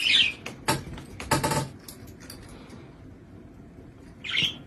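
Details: A budgerigar climbing a ladder back to its cage gives two brief, scratchy high chirps, one at the start and one near the end, between loud bursts of rustling and clattering.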